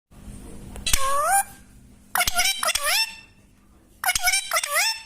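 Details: A parrot singing indoors: three clear, loud bursts of voice-like whistled notes that swoop up and waver, separated by short quiet gaps with a faint steady room hum.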